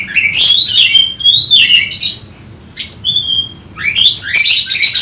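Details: An Oriental magpie-robin, worked up and looking for a rival, sings loud buzzy and whistled phrases. A bright sweeping burst is followed by a quieter stretch of thin, high whistles. The song ends in another harsh, rich tumble of notes.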